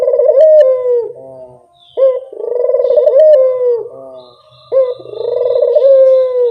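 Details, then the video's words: Barbary dove lure call: soft, resonant cooing phrases, each a brief upward note followed by a long trembling purr that slowly falls, three phrases spaced about two and a half seconds apart, with a faint thin whistle in the background. "Suara pancingan burung puter yang anggun"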